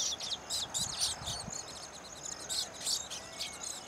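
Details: Male baya weavers at their finished nests, singing and wing-fluttering to attract females to choose a nest; bursts of sharp high chirps and short buzzy notes, irregular, with brief quieter gaps between them.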